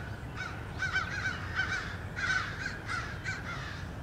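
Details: American crows harassing a male bald eagle near its nest in Norfolk, 30 March 2016; a short run of hoarse caws, roughly one or two per second, partly overlapping, with low background rumble.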